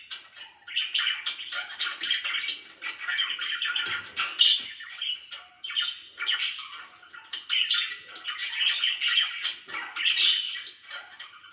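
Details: Very happy pet budgies in a long run of squawky chatter and rapid chirps, rising and falling in loudness with brief pauses.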